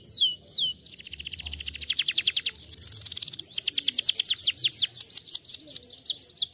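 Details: Canary song used to coax other canaries into singing: a couple of falling whistles, then dense, fast trills, a buzzy rolling section, and evenly repeated downward-sweeping notes.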